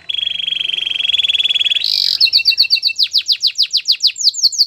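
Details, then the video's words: Canary training song: a long fast buzzy trill held steady, a brief harsh burst, then a run of rapid descending whistled notes repeated about four per second. "Your canary will not stop singing with this training song"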